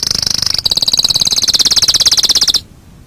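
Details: Canary song for tutoring other birds: a continuous rapid high trill of evenly repeated notes, briefly broken then resumed, stopping abruptly into quiet.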